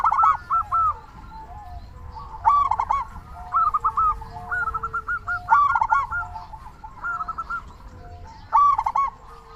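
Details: Zebra dove, local type, calling as a lure for quiet doves: repeated ringing coo phrases mixing rapid staccato pips and throaty stuttered bursts, dense and continuous across nearly ten seconds, soft background hum.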